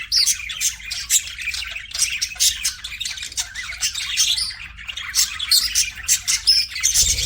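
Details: Pet budgerigars chirping and chattering in a dense, continuous stream of bright, scratchy high notes with short squawks, several birds overlapping without pause.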